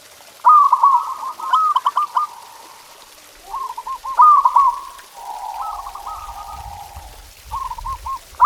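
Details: Local perkutut, or zebra dove, singing masteran phrases meant to spur pet doves: rolling bright trills alternate with softer lower coo runs, a sustained lower coo overlapping near the end, faint low rumbling beneath.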